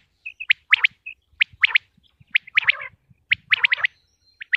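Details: Common quail (batair) from Punjab, Pakistan, kept for hunting, calling in quick bursts: soft paired notes then sharp clipped phrases of two to four syllables, repeated roughly every second, with faint low thumps beneath.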